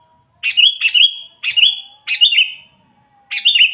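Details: Sooty-headed bulbul singing to lure wild birds; five quick liquid phrases, each a sharp note dropping into a short warbled tail, closely spaced over a few seconds.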